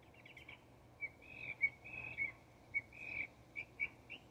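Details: Texas Northern mockingbird producing a series of steady whistled notes and short chirps at a similar pitch, spaced irregularly, in a quiet setting.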